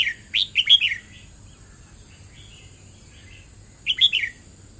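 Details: Red-whiskered bulbul singing in the double-rik style: a short burst of bright whistled notes, rising then dropping, opens the recording. Soft warbles follow before a second matching phrase near the end, over a steady high hiss.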